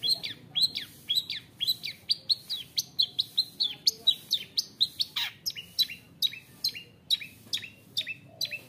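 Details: Steady series of sharp, down-slurred high notes, several each second, with a brief rough burst in the middle. A long-tailed shrike with a fighter's temperament, taken from the forest young, sings a 'roll tembak' song that makes rival shrikes aggressive.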